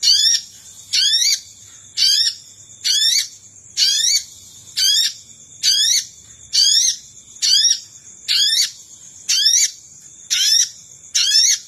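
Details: Sogon lure call used to attract wild sogon: high, shrill bursts of rapid rising notes, repeated about once a second, over a steady thin high hum.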